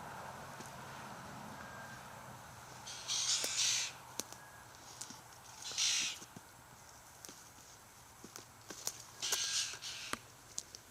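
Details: Three separate bursts of wheezy, hissing rasps, each about a second long, come from white-winged choughs, a big flock of roughly 60 or 70 birds that had just fed on a kangaroo; sharp ticks and clicks fall between bursts.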